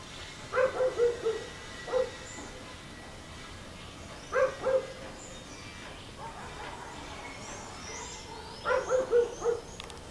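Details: Red-breasted toucan visiting a rufous hornero nest in a garden, giving hoarse, croaking low notes in quick runs of three or four, with single notes between runs, the runs spaced about four seconds apart, over faint background hiss.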